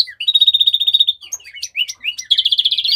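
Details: A house finch (Haemorhous mexicanus) sings a lively warble: a fast, high buzzy trill, then slurred rising and falling notes, then another rapid trill, with no other sounds.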